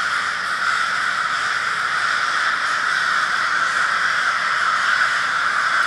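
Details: A crowd of crows in Minneapolis, Minnesota, on February 20, 2020, produces a loud, unbroken chorus of rough caws, ending in a brief sharp click.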